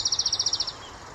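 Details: Eurasian wren (Troglodytes troglodytes), song.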